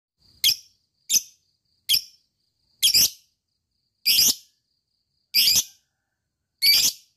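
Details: Lovebird, recorded as a lure to excite other lovebirds into long ngekek singing. Seven harsh, high chirps come about once a second and grow louder and broader toward the end. The background is quiet.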